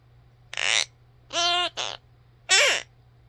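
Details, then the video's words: A pet mini macaw gives four short, nasal, chattering bursts within three seconds, some rising and falling like babbled speech, over a low steady hum. "Parrot Whistle"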